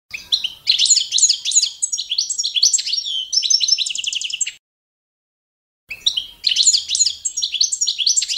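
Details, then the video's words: Goldfinch of the Balkan subspecies Carduelis carduelis balcanica singing a competition-standard song used for training birds. Rapid, high tinkling twitters and buzzy trills pour out continuously for about four seconds, then after a short silence the song starts again. "goldfinch song"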